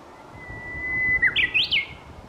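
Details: Japanese bush warbler singing: a long, steady whistled note held about a second, then a quick bright flourish of rising and falling notes, clear over a faint hiss.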